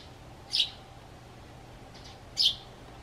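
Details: Pet sparrow responding to its owner's whistle with two loud, high chirps almost two seconds apart and a faint chirp between them, over a quiet background.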